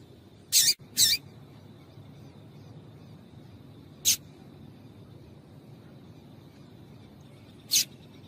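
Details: A female Double-collared seedeater gives short, very high, thin chip calls, a quick pair then single notes a few seconds apart, over a faint low hum; the call is played to get males singing.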